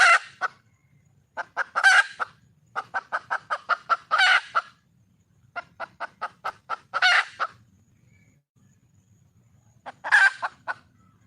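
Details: Wild red junglefowl hen calling for a male: long bouts of rapid, evenly spaced clucks broken by loud harsh squawks, repeated several times over the recording.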